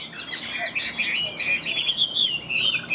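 A Chinese hwamei sings a rapid, unbroken stream of loud, high, varied whistles and slurred trills with no pauses, over faint background hiss.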